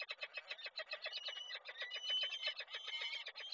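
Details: Peregrine falcon at a nest in Koszalin, Poland, on 2 April 2024, during a nest change-over as the female returns: rapid, harsh, chattering notes, about four per second, steady throughout.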